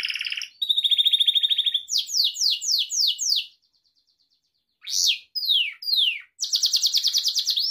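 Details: Pet Gloster canary warbling: a buzzy burst, a smooth even trill, a run of five falling sweep notes, a pause of over a second, then sharp swept chirps and a fast rolling trill.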